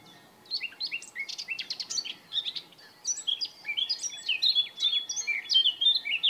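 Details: Male Eurasian blackcap in song, recorded in Bavaria, Germany, in June or May: scratchy, twittering phrases that break into a rich, fast warble of clear whistles, with notes following one another for about six seconds.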